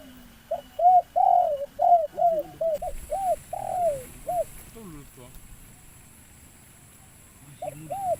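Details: Wild local spotted dove with a medium-pitched voice, recorded in Indonesia during bird trapping with a decoy: a run of short, arched, hollow coos in quick succession for about four seconds, a silent pause, then two more coos at the end.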